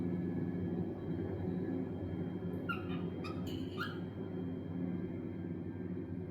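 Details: A cockatiel gives a few short, harsh chirping calls over a steady low indoor hum.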